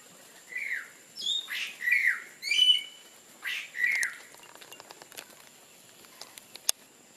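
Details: Greater Yellownape (subspecies wrayi), feeding male and female at a bird hide in Kaeng Krachan, Thailand, 20 September 2024, gives about six sharp, squeaky, slurred notes in a loose series over four seconds, followed by a few faint clicks and taps.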